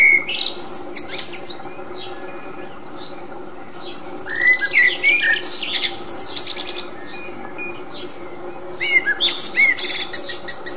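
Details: Wild common blackbird song taken with a 40x zoom: short low whistled notes mixed with bursts of high squeaky twittering in three main phrases separated by pauses, over continuous hiss.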